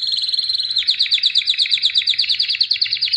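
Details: Singing albino canary, white-plumaged: a steady fast trill of rapidly repeated bright notes, changing pattern after the first second and continuing evenly.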